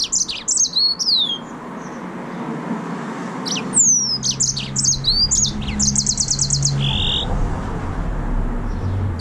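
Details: A yellow-fronted canary, or green singing finch (Serinus mozambicus), sings bright, high phrases of sweet slurred whistles and quick chips, with a fast buzzy trill near the end over a low room hum.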